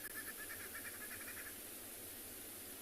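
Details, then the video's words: Green wood hoopoe gives a faint, rapid run of repeated chattering notes in the background at sunrise on 7 December, on an overcast day in Tswalu Kalahari Reserve, South Africa, with steady outdoor hiss. "I don't know if you can hear that bird in the background, a green woodhoopoe."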